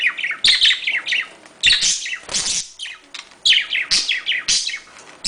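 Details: Budgerigars calling to encourage breeding: dense, busy chatter of short rising and falling chirps and squeaky warbles, bursts every second or so with brief pauses, indoors.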